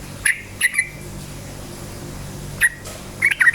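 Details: Yellow-vented bulbul in lively form, its song used to provoke other bulbuls: brief bubbly notes, two early and a quick cluster at the end, against a faint low hum.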